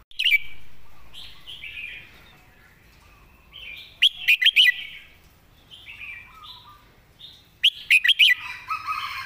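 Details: A caged red-whiskered bulbul used as a song teacher, noted for clear, well-turned phrasing, delivers three loud, lilting whistled phrases at roughly four-second intervals amid gentle warbling.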